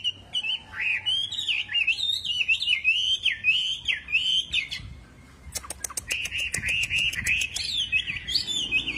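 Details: Lively song of a wambi bird, a continuous run of wavering, whistled phrases that rise and fall. It pauses briefly midway, while a series of sharp, rapid clicks sounds before the warbling resumes.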